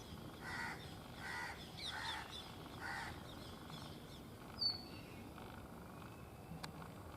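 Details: Indian rock chat, a brown bird, calling and dancing at Tibbi, Hanumangarh, Rajasthan, India, 2019: four harsh, buzzy calls rich in overtones, spaced under a second apart, with a brief high chirp later, over steady background hiss.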